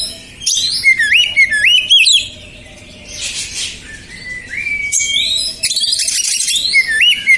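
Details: Oriental magpie-robin (kacer), described as stressed and emotional, singing to lure other birds: clear whistled notes swooping up and down, repeated quickly, mixed with bright high trills and a soft hissing passage.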